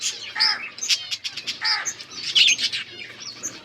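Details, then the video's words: Budgies chirping on October 27, 2023: bright high tweets and warbling phrases, a few louder harsh chirps repeating roughly every second, with overlapping chatter from more birds. "Budgies chirping sounds"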